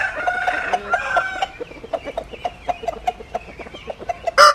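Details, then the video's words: Chicken sounds: a harmonic crow-like call at the start, then a run of short clucking notes and clicks, ending with a brief loud call. "Tiếng Gà Gáy Hay Nhất 2021"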